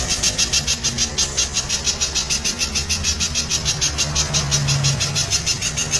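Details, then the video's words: Spiderhunter giving a loud song of dense, rapid 'shots', as on a training recording: sharp high notes repeated about three times a second without pause, over a low engine-like rumble. "masteran pijantung suara keras tembakan rapat"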